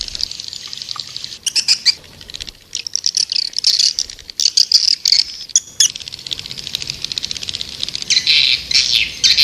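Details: White-nest swiftlet lure sound for drawing birds: fast ticking clicks mixed with bursts of shrill, buzzy chatter, coming in uneven clusters with a louder twittering passage near the end.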